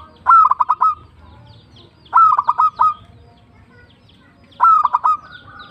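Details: Zebra dove, a local perkutut, singing tumbak cucukan style: three separate phrases about two seconds apart, each a strong upward coo followed by four or five rapid staccato notes.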